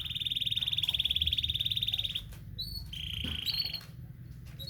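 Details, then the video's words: Morning canary song used for pairing birds: a fast, even, high trill lasting about two seconds, then a short gap and a second, slightly lower rolled trill, with faint chirps and a low background hum. "penjodoha burung kenari dipagi hari"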